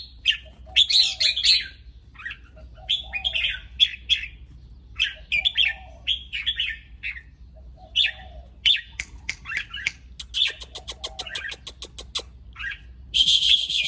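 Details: Excited red-whiskered bulbul song: short bright warbled phrases repeated every second or so, with other short buzzy notes and a low steady hum beneath.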